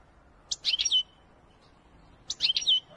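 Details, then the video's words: European goldfinch, known locally as Wedani goldfinch, singing two short bright phrases of quick high twittering notes, each lasting about half a second, separated by a pause of over a second. "أقوى تغريد الحسون الويداني قمة الإبداع"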